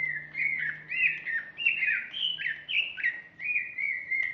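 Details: Female greater green leafbird singing a continuous run of warbled, slurred whistles around the same middle-high pitch, phrases rising and dipping about twice a second, with a steady low hum beneath.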